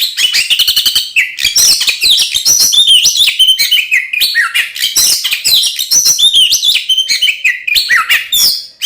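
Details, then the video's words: Energetic fighting-style song of an Oriental magpie-robin, meant to provoke rival magpie-robins. Nonstop high-pitched medley of clear whistles, rising and falling slurs and harsh buzzy chatter, delivered in quick bursts with barely any pauses. "SUARA BURUNG kacer gacor NGEPLONG TARUNG konslet ini paling AMPUH buat PANCINGAN KACER agar EMOSI"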